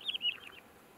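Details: Red Lark, a localized, globally vulnerable species restricted to South Africa, gives a quick string of high, chirpy notes that waver slightly and fade within about half a second.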